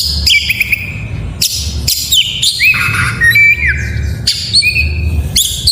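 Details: Song of a white-rumped shama, meant to coax lazy caged birds into singing: high whistles and long sliding tones, some dropping, with scratchy buzzy bursts between phrases and a low rumbling background.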